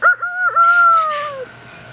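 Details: An African grey parrot at Jungle Gardens, asked for a rooster, imitates a rooster's crow: two quick hiccuping notes, then a long, steady, slightly falling tone lasting about a second, followed by quiet room hum.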